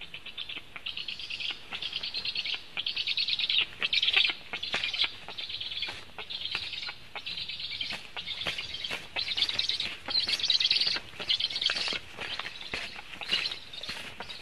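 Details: Black storks at a nest in Latvia, filmed by nest camera on 24 July 2015 at 14:29 during a food delivery; rough, wheezy hissing bursts pour out almost continuously in short pulses, with sharp clicks scattered throughout.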